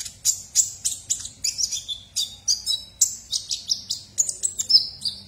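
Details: A 'ninja' sunbird in full, active song, kept as a tutor for oriental magpie-robins and white-rumped shamas: rapid high thin chirps and twitters, about three or four a second, some notes sliding downward, with a faint low hum behind.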